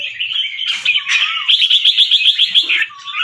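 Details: Caged albino fancy red-whiskered bulbul, white with red eyes, a competition-line bird from Chonburi, Thailand, in training song: bright warbled phrases followed by a fast run of about eight rapid, evenly spaced chopped notes, ending with a rising whistle.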